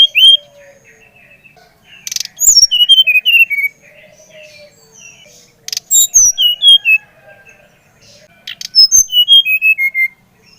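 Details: Brown-chested jungle flycatcher from Bali, meant to stimulate another bird to sing: three bursts of descending whistled notes, each preceded by buzzy clicks, with quiet gaps between phrases.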